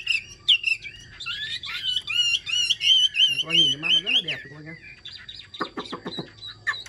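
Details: Chinese hwamei singing in its cage: quick flicked notes leading into a long string of ringing, wavering whistles, with a man's voice talking over the middle and sharp clipped notes near the end.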